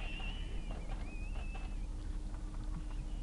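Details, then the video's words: Freshly fledged Little owl young, two fluffy birds begging as food arrives in the evening, Kalmthout, 11 June 2022; a short hoarse hiss followed by thin wavering whistle-like notes and faint clicks, low rumble beneath. "Steenuil jongen krijgen avondeten"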